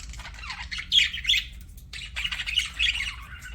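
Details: Budgie chatter in two busy stretches separated by a short pause, with scratchy warbles, squeaky chirps and raspy squawks, steady low hum beneath.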